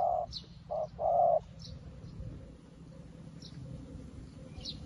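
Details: A fresh decoy spotted dove luring wild doves gives three deep coos, two short and one longer. Quiet follows, with faint high chirps of small birds in the distance.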